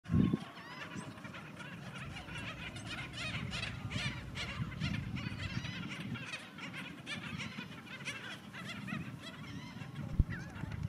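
A flock of Black Skimmers gives a dense chorus of nasal, barking yaps, many overlapping and steady throughout, over a low rumble of wind or surf.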